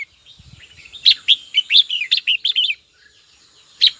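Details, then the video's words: Red-whiskered bulbul calling to a rival: a fast run of about ten cheerful, slurred chirps over two seconds, then a pause and one final sharp note, with a faint low thump early on. "Chào mào gọi bổi tố chất nhất"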